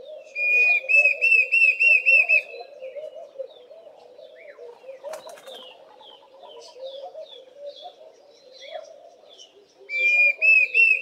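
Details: Diederik cuckoo calling loudly: a rapid string of ringing whistled notes at the start, a quieter gap of other chirps and wing flutter, then a second whistled burst at the end. Laughing Doves coo softly underneath.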